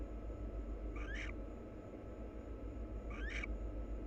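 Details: Wild barn owl pair engaged in mutual preening; two brief, hoarse rasps with a quick upward slur, about two seconds apart, over low steady hum.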